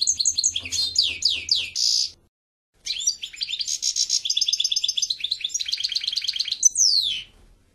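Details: European goldfinch in full song: a series of sweeping down-slurred notes and a buzzy burst, a pause, then a long, fast, rattling twitter of repeated chirps closing with a falling whistle.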